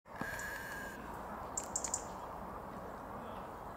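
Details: Eurasian treecreeper (Certhia familiaris) in Tivoli Landscape Park, Ljubljana, Slovenia, 10 January 2022, giving three very high, thin, quick notes evenly spaced over half a second, over a steady hum and broad background noise.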